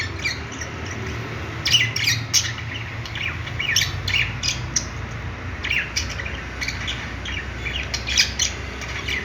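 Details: Budgies playing, giving scattered short sharp chirps and squeaky notes separated by pauses, over a steady low background rumble.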